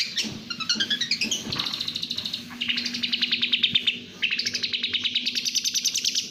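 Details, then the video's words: Speed-style song of a national champion cendet: chattering buzzy trills of rapid pulses in long bursts, interspersed with quick whistled sweeps, over a faint low hum. "Suara kicauan speed burung cendet/pentet juara nasional"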